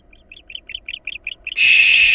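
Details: Nine quick squeaky chirps, evenly spaced, break into a loud harsh screech: barn owl sounds from a nest where a female intruder attacked nestlings before the returning father drove her out.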